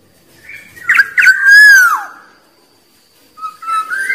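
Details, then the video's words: Wild black-naped oriole song for provoking rivals: two quick chirps lead into a long, smooth whistle that bends downward, then a pause and a softer rising whistle. "Suara Burung Kepodang liar Paling Ampuh Memanggil lawan"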